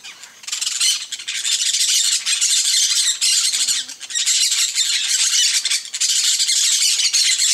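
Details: Peach-fronted parakeets gather in a flock at a feeder, a continuous wall of grating, high screeching squawks. There are only short dips between the noisy bursts, and several birds call at once throughout.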